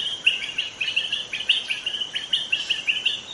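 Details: Young wild White-rumped shama from the forest giving a quick chattering series of high, evenly pitched notes, roughly five per second, with a few brighter accents against a quiet background.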